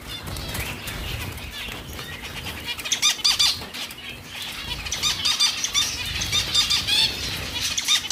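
Zebra finches give a dense stream of short, nasal, high calls with a fluttering of wings.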